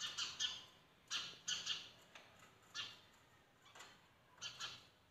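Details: Sparrows calling at a window in the morning: scattered raspy chirps, some doubled, spaced irregularly with quieter notes between.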